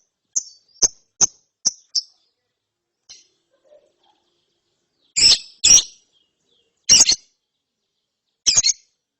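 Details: Lovebird chick after therapy, chirping: a run of short sharp high chirps, then a pause and several louder, broader harsh chirps spaced about a second apart.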